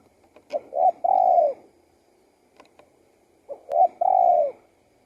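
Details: Spotted dove singing two low cooing phrases, each of quick introductory notes and a long, falling coo. Faint clicks and taps are heard between them.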